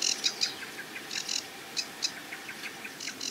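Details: Sedge Warbler by a reedbed on a marsh edge: short scattered clicks and brief chattering notes in loose clusters, quieter than full song.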